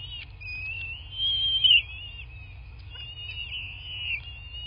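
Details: Nest-camera recording of bald eagles at their nest in southwest Florida, 8 March 2024, 11:00: drawn-out, wavering high whistles that rise and dip, one louder peak early, softer whining afterwards, low hum throughout.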